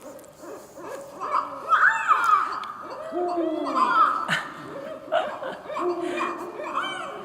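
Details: A pair of Barred Owls caterwauling together in breeding season (typically January to March): a wild chorus of overlapping hoots, whoops and cackling laughter-like notes, rising and falling in quick, excited bursts.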